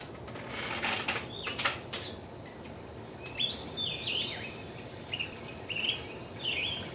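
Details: A male maroon agate canary sings slurred, whistled phrases that rise and fall at a high pitch, along with music, after a burst of dry clicking and rattling at the start.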